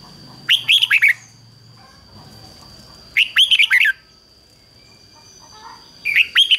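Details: Caged red-whiskered bulbul used as a decoy, singing loudly to lure wild birds: short bursts of rapid, warbled notes repeated about every three seconds, with a steady high electronic tone behind.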